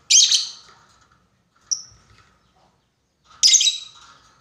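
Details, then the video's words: Lovebird calling a rival as a lure, long 'ngekek' style: two broad harsh screeches with a short thin whistle-like note between them, and faint soft chatter in the background. "SUARA BURUNG LOVEBIRD MEMANGGIL LAWAN,PANCINGAN LOVEBIRD NGEKEK PANJANG"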